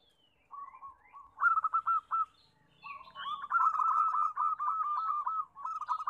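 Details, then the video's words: Local zebra doves, many calling together as a lure to make doves sing: overlapping, rapid, pulsing mid-pitched coos in long trilling runs, with faint higher chirps from other birds. "Suara Perkutut Rame, Pancingan yang susah bunyi"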